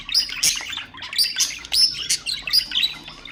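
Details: Pet budgerigar warble played to prompt other birds: sharp whistled chirps and scratchy bursts in quick clusters, with clear high tweets standing out between rougher notes.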